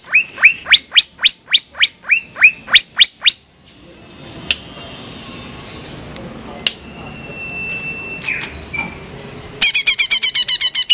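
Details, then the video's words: Female greater green leafbird of the Banyuwangi type, kept captive and used to stimulate other leafbirds. Series of sharp rising whistled notes, about four per second, then a steady whistled tone and a fast burst of high chattering notes. "Cucak ijo betina buat ngecas"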